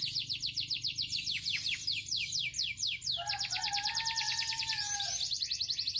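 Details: Yellow canary, said to have won three times, delivering a fast run of repeated descending high notes that merge into a rapid rolling trill, with a steady lower whistled tone held underneath for about two seconds.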